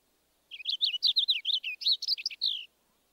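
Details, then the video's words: Purple finch singing a clearer song than the house finch: a quick, bright warble of slurred high notes that tumble up and down for about two seconds, then stop. Nothing else is audible. "next the clearer song of the purple finch"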